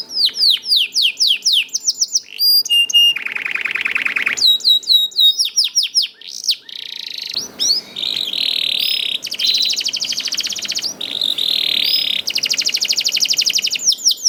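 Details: Canary song played to get caged canaries singing quickly: long rolling performance mixing rapid repeated whistled notes, dense buzzy trills and rattling rolls in quick succession, high and continuous throughout.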